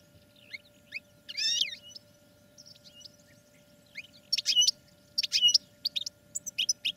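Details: Caged European goldfinch in training sings scattered high chirps and a buzzy twitter, then closes with a cluster of loud rapid notes separated by short pauses.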